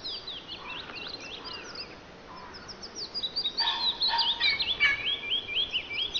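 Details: Wood warbler singing; the recording is meant to lure other birds and get them singing. Scattered high slurred notes at first, then a louder, quicker run of sharp swept chirps in the second half, over light ambient noise.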